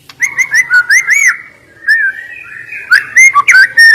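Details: White-rumped shama (murai batu) song used to stir lazy birds into singing; bright whistled phrases of quick rising and falling notes, several clustered bursts with a loud harmonic ring, brief pauses between.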